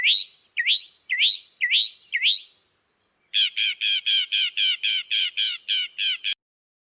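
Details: Northern mockingbird singing, repeating each note five or six times before switching: five rising, slurred whistles, then a rapid burst of about a dozen identical buzzy chirps, each phrase repeated many times.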